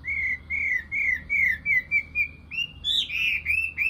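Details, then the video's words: Nightingale singing: a run of clear whistled notes repeated about three times a second, slurred and wavering, ending in higher, sharper phrases. Faint low hum underneath. "Best Video Nightingale Song , Sound Image Nightingale"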